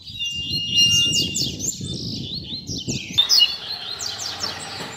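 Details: Tutor song of a Double-collared seedeater (coleiro), a 'puxada' for training young birds: a thin steady whistle opens, then quick high buzzy, chattering notes pour out over a low background rumble.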